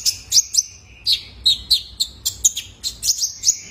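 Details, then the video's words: Juvenile male Kolibri Ninja sunbird, voice used to prompt caged birds into singing: sharp, high chirps and short descending notes repeated about every quarter to half second, steady and clear over a quiet background. "PANCINGAN KONIN BAHAN IKUT GACOR !! COCOK BUAT TERAPI KOLIBRI NINJA - SUARA ANAKAN JANTAN!!"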